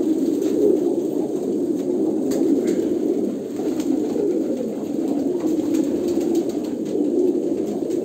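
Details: Deep, rolling coos from several Kolkata pigeons run together as a constant throaty chorus, dipping slightly in volume midway, with occasional faint ticks.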